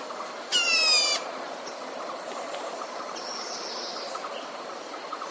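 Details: A captive red-whiskered bulbul used as a decoy for catching wild birds utters one short, coarse, buzzy rasp, followed by quiet high faint whistles amid steady hiss.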